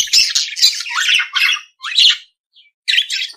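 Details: Budgerigar giving rapid scratchy, buzzy chirps run together in short phrases, then a brief silence before a few more harsh twittering notes.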